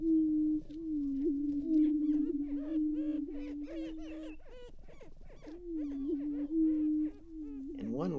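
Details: Greater prairie-chickens at an April dawn lek, restored prairie in northwest Minnesota, males chasing a young bird from the center: continuous low hollow moaning hum with repeated cackling and whooping notes layered above.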